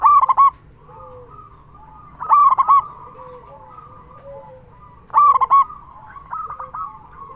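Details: Local zebra dove in full song, used as a lure so other zebra doves start singing. Three loud, brisk bursts of staccato coos arrive about every two and a half seconds, separated by quieter trilled cooing and background doves.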